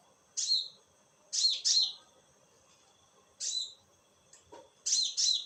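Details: Konin bird at night, giving shrill, rasping downslurred notes, singly and in quick doublets, with a faint thin tone running between them.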